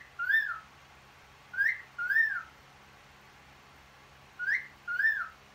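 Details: Two cockatiels: clear wolf whistles, each a quick rising note followed by an arching one.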